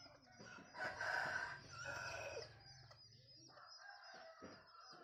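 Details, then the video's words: Bantam cockerel giving a laughing-style crow: a wavering, hoarse phrase lasting nearly two seconds, followed by quieter clucks and faint background noise. "ขันสัก9ดอกคล้ายเสียงหัวเราะ ไก่แจ้ ไก่ขัน"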